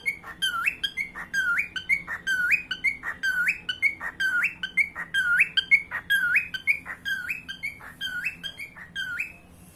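A cockatiel sings a fast run of bright, rising whistles with sharp upward hooks.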